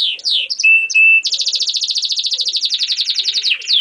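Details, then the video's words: Singing German crested canary: quick swooping whistles and two flat held notes, then a rapid buzzy trill of even repeated pulses that drops lower near the end before a final sweeping whistle. "singing canary MVP (duitsekuif kanarie)"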